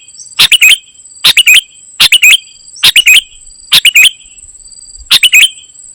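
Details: Singing golden-fronted leafbird, gacor isian style. Six evenly spaced phrases of three or four quick chirps with slurred ends come nearly once a second, over a persistent high-pitched whine.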